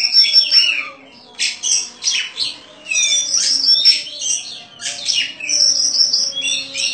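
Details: Caged Oriental magpie-robin, a prize-winning contest bird known for crystal-clear, very active singing with rich fill-ins. Dense bursts of high, sharp whistled and chattering notes come in clustered phrases, with brief pauses between bursts.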